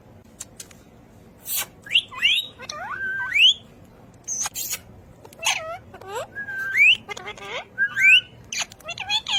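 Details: Talking ring-necked parakeet giving scattered, irregular bursts of upward-sliding whistles, clicks and short voice-like harmonic phrases over nine seconds.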